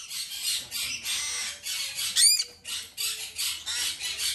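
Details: Green-thighed White-bellied parrot chick, male and captive-bred, begs during hand-feeding with rapid pulsed hissing rasps, about four a second, and a single brief rising squeak in the middle.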